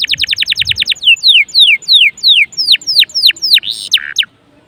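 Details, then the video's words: Canary in vigorous song, used as a lure to set other canaries singing: a rapid run of short repeated downslurred notes, then slower whistled descending sweeps about three a second, closing on a harsh buzzy burst; faint low thumps at the start. "PANCINGAN SUARA KENARI GACOR || kenari gacor ampuh bikin kenari lain ikut gacor"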